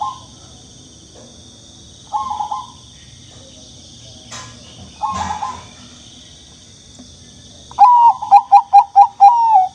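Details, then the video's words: Young turtle dove giving three soft, fluttering trilled phrases spaced a few seconds apart, then a loud burst of short repeated coos ending in a held note. A steady high hum runs throughout. "Voice of The Turtledove is Very Young"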